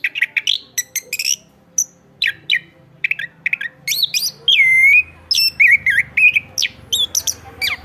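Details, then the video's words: Singing Chestnut-backed thrush, open-voiced and lively: scattered sharp chirps then clear whistled, slurred notes sliding down, mixed with quick twitters, roughly four notes per second, a low rumble in the background. "ANIS KEMBANG GACOR"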